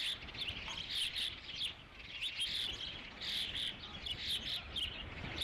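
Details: Osprey calling at its nest at Dunrovin Ranch on 3 July 2016, fifth fish of the day arriving; strong, high-pitched chirps in clustered runs with short pauses between groups, steady noise beneath.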